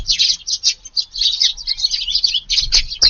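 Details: Several tree sparrows chirping steadily during a 5:30 a.m. garden feeding on a rainy day, 2 August, Japan; rapid high-pitched notes overlapping without a break.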